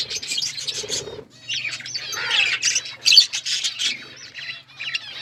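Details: Colourful budgies trade quick chirps, squeaks and warbled twitters, the chatter pausing briefly then resuming with sharper bursts over a soft steady hum.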